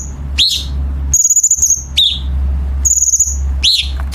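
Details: Chinese bulbul song used to train competition birds, with tight, sharp rasping fill: swooping falling chirps alternate with high buzzy rattles, a low steady hum underneath.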